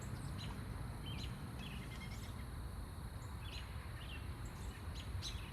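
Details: Birds chirping in a yard in the late evening: short, scattered chirps and quick sweeping notes in loose succession over a steady high insect drone and constant low rumbling background noise.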